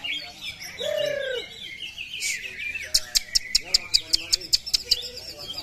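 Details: Greater green leafbird in a singing contest, rapid varied whistled and chattering phrases with downslurred notes, then a string of sharp clicking notes repeated about twice a second; people talking faintly.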